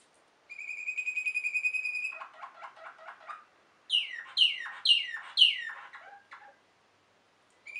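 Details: Waterslager (Malinois) canary song: a held high whistle, a series of low pulsed notes, then four loud falling sweeps and a short low flourish before silence.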